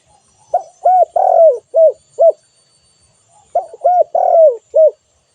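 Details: Spotted dove calling: two phrases of mellow, low coos. Each phrase has about five notes, with a longer, drawn-out, falling coo in the middle. The phrases are separated by a pause of about a second.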